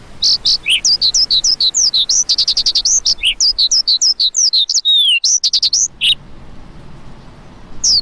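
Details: Quick chirps and slurred whistles pour out from a lark for about six seconds, including one long falling whistle, then fall silent before a final note.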